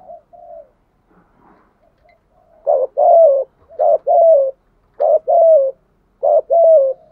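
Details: Spotted dove decoy giving thúc gù coos to excite wild doves; soft faint notes at first, then loud low two-part coos, short then drawn and falling, repeated about once a second.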